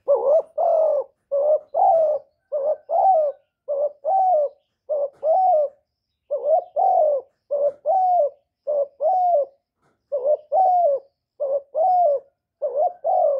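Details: Kept spotted dove calling, urging and cooing. It gives a steady run of low, hoarse two-part coos, each dipping then rising, repeated roughly every second with brief gaps and no other sounds.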